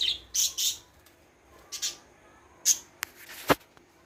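Budgerigar giving short, bright, high-pitched chirps in quick irregular bursts.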